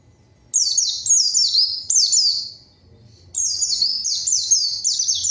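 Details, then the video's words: Energetic white-eye song used to get rival birds singing back. Clusters of piercing, downward-swept notes follow a short silence, then the chattering series resumes after a pause. "PANCINGAN PLECI GACOR MANGGIL LAWAN PLECI BAHAN LANGSUNG RESPON DAN IKUT BUNYI"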